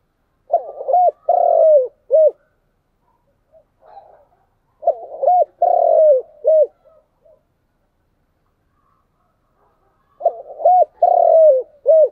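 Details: Spotted dove repeating its chiêu and thúc cooing. Three near-identical phrases come roughly every five seconds, each with stuttered notes, a short coo, a long drawn falling coo and a brief closing coo. Faint soft notes fill one gap.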